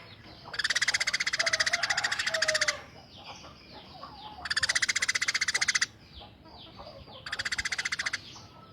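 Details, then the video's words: Tame Eurasian tree sparrow giving rough rapid 'tembakan' calling: three long grating rattles of many quick harsh notes, each lasting one to two seconds, with faint chirps in the gaps. "Burung Gereja Gacor Jinak Tembakan Kasar"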